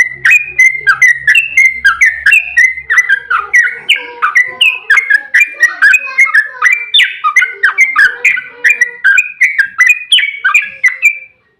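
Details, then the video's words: Yellow-vented bulbul in an energetic, long rolling 'ropel panjang' song used as a lure to make other bulbuls answer: an unbroken stream of quick bubbly, warbled notes, rising and falling, for about eleven seconds. "Suara trucukan GACOR EMOSI ROPEL PANJANG buat pancingan trucuk agar cepat bunyi JADIKAN burung NYAUT"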